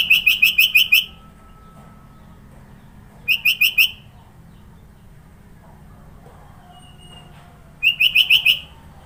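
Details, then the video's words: Sooty-headed bulbul from Sidoarjo, East Java, Indonesia, giving a varied song rich in fill-in notes: three bursts of four or five quick, clear whistled notes, with the bursts spaced a few seconds apart over quiet background hum. "Burung kutilang suara isian banyak"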